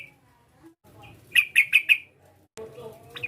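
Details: Sooty-headed bulbul calling to provoke a rival: four loud, clipped chirps in quick succession, bracketed by faint softer notes and a low background hum.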